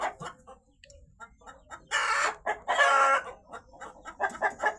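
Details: Chickens on a farm cry loudly after a hen apparently laid two eggs (eggs not seen); the crying is thought to be a rooster's: harsh, broken squawks in second-long bursts, softer clucks between, people talking nearby.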